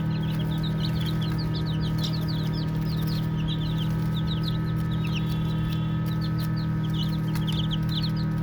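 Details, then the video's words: A group of baby chicks at play chirping busily: dense, high, clipped peeps tumbling over one another in uneven runs, with a continuous low hum throughout. "Baby Chicks Chirping Sounds"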